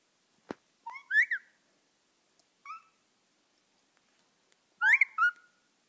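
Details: Odd calls from a pet bird: a sharp click, then brief whistled notes that rise and fall, a softer flat double note, a long silence and a final louder wavering whistle, all with quiet in between.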